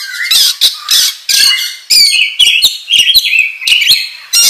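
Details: Oriental magpie-robin in full, aggressive song as a lure, with harsh buzzy squawks alternating with rising and falling whistles, roughly two phrases each second.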